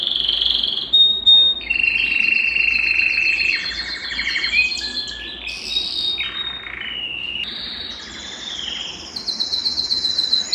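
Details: Varied Belgian canary song for stirring males and bringing hens into breeding condition, moving through shifting phrases: bright trills, sudden pitch jumps, buzzy rolls and piping notes across ten seconds.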